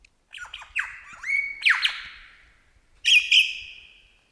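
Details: Wild Australian lyrebird singing in the bush, encountered during a deer hunt, mimicking birds such as crow, kookaburra and magpies; loud varied phrases of sliding whistles, sharp downward sweeps and harsh notes, ending in two bright ringing calls.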